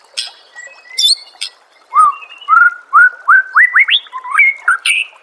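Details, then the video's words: Master song of a white-rumped shama for training caged birds: a few high chips, then a string of clear whistled notes climbing step by step, each a short upward slur, ending on a high note "murai batu anda dengar suara MASTERAN burung seperti ini"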